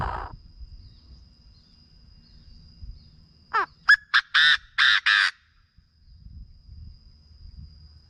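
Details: Chinese francolin call, played to excite birds for decoy trapping: a sharp falling sweep, then four or five loud, harsh, clipped notes in quick succession, after quiet low background rumble.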